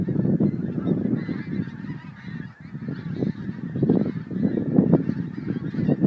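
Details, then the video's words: A large flock of geese leaving Montrose Basin to feed on 12 January 2011, honking constantly in a thick, rolling chorus that dips briefly midway before building again. "Montrose Basin Geese"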